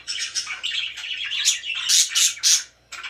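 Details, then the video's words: Very happy pet budgies giving a rapid run of harsh squawks and chirps, ending in three loud bright screechy notes before a brief pause and a final chirp. "VERY HAPPY BIRDS #chirpingbirds #budgie"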